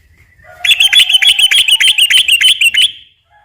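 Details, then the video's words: Sooty-headed bulbul singing slow and long rolling song meant to lure other bulbuls: a fast burst of bright, repeated whistled notes lasting over two seconds, each note slurred, after a quiet start. "kicau suara trucukan gacor ropel pelan dan ropel panjang ini cocok tuk memancing trucuk bahan ombyok"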